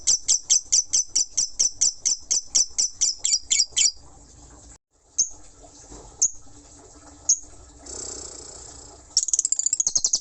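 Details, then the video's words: Lovebird in ngekek style: a quick run of sharp, high chirps about four per second for four seconds, then mostly quiet with a few isolated chips and a brief chatter burst at the end. "Love Bird Ngekek 5 Menit Non Stop"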